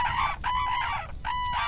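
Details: Red-crowned Crane wintering in a harvested rice paddy in the Cheorwon DMZ, stretching its neck and calling to show strength amid competition over feeding spots: three loud, ringing trumpet notes, each about half a second, clear, steady and brassy.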